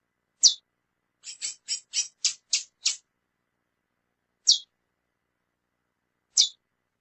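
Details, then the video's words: Female lesser seed finch chirping and calling: one high chip, a rapid series of six or seven crisp notes, then two single downslurred chips spaced about two seconds apart. "Fêmea de Curió Piando e Chamando Muito"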